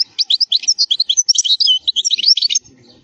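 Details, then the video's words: Wild European goldfinch, khalwi style, a flawless strong song for teaching young goldfinches: fast continuous liquid twittering of mixed high trills and chirps for two and a half seconds, then quiet low background. "الحسون الخلوي تغريد قوي صوت عالي خـــــــالي من الاخطاء"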